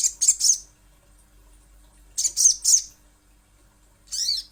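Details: Little spiderhunter (sogon or sogok ontong) used as a lure recording: two bursts of three sharp, very high chipping notes about two seconds apart, then a single rough, slurred high note; quiet background otherwise.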